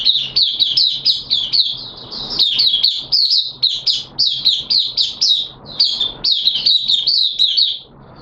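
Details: Oriental white-eye in a cage, a hobby songbird recorded in wet weather, delivering 'buka sing' song as a dense, unbroken stream of rapid, high, sweet warbling and twittering notes for most of the recording.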